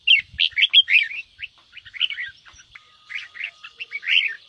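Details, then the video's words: Red-whiskered bulbul kept as a cage bird, singing in the fiery 'ché' style used to provoke rival birds; quick bubbly warbled phrases tumble one after another, with a faint steady whine and soft low thumps behind. "Chào mào ché kích bổi căng lửa/kích chim yếu lửa nhanh ra âm/Tiếng kích chào mào nhanh ché"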